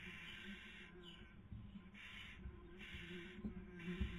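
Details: Nesting barn owls filmed by webcam in Cabañeros National Park, Castilla-La Mancha, Spain, 2020 breeding season, female feeding, male trying to sleep; four long, raspy hisses with scratching and light bumps.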